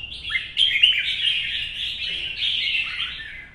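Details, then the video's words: Red-whiskered bulbul, an older wild-caught bird in a cage, singing competitively in morning sun: a sharp onset, then a continuous stream of bright warbled chirps with downward-slurred notes. "CHÀO MÀO | Bổi già rừng 4th lồng bóng bộ và nết cầu - nắng sáng hót đấu"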